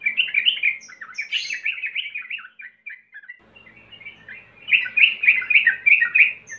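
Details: Sooty-headed bulbul song as a lure for untrained birds: bright, quick warbled notes, a near-silent pause around three seconds, then a loud run of rapid, repeated chirping phrases.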